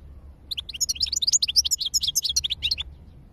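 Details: European goldfinch song, described as high-level, in 2022: a quick run of bright, tinkling, twittering notes delivered rapidly for about two and a half seconds over a faint low hum.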